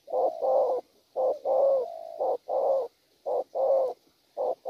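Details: A spotted dove, wild-caught, coos in gù style: paired hoarse notes and one long, smoothly held coo, repeated in a steady low phrase pattern.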